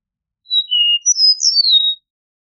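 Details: Eastern meadowlark gives one clean whistled phrase: a steady note, a lower drawn-out tone, then a high slurred whistle sweeping downward. No other sounds.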